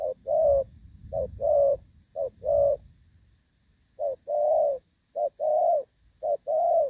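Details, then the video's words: Spotted dove of the "thổ pha" voice style, moulting yet still cooing well: paired low coos, a short note then a longer one, repeated steadily across the recording. "Thổ Pha | chim đang lông nhưng dàn rước với nước gù cũng tốt"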